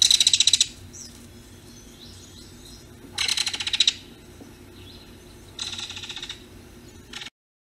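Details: A Belted Kingfisher in a yard gives loud, dry, clattering rattles in three bursts under a second long, a few seconds apart, then a brief final rattle, over a faint low hum.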